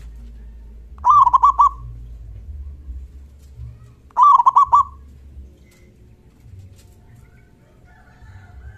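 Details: Local zebra dove with a big, loud 'kung' voice, calling to provoke other doves into replying. Two quick rolling phrases of clipped cooing notes about three seconds apart, with quiet low background rumble between them.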